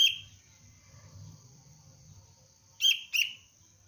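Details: Sooty-headed bulbul youngster, Cengkram line, in lure-bird training: one bright chirp opens, then after a quiet stretch with faint hum, a quick pair of sharp, clipped chirps follows.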